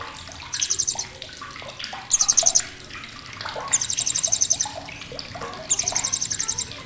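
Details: Sharp chattering from a blue-crowned hanging parrot, kept as a tutor recording for competition birds: four loud, dense bursts of very high, fast rattling notes, each under a second, separated by pauses full of soft clatter.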